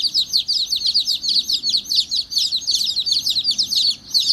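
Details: A brood of baby chicks, described as angry, peeping without pause: shrill, high, down-slurred chirps, several each second, overlapping into a dense chorus.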